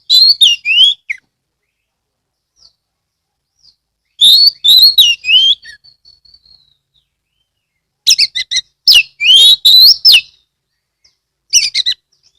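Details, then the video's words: Oriental magpie-robin lure song, recorded from an owned bird in Ambal, Kebumen, Central Java: loud phrases of mixed whistles and buzzy chatter arrive every few seconds, some notes falling, others rising, with quiet gaps between. "pancingan kacer gacor"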